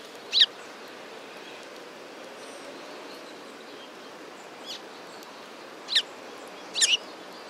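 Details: Sparrows at a Tenmangu shrine on 15 November 2016 give brief, sharp, high chirps spaced several seconds apart, including a doubled note at the end, against constant outdoor hiss.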